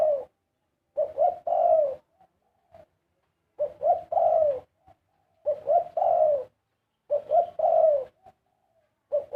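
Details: Dove song in karam style, low, soft coos grouped into five regular phrases roughly every 1.7 seconds, each ending in a long, gently falling note.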